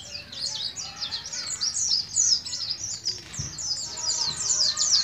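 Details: A young captive white-eye from Moga, Pemalang, Central Java, still learning its song, pours out a fast, high twittering run of scratchy chirps and trills almost without a break, with faint background noise.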